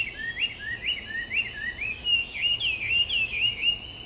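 A Chinese hwamei pours out a rapid run of loud, bouncing whistled notes that rise and fall, about two per second. A steady high insect drone runs underneath.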